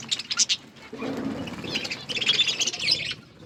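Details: Budgies eating food in a group: a few sharp chirps, then steady high warbling chatter from many birds, with a brief lower murmuring sound beneath.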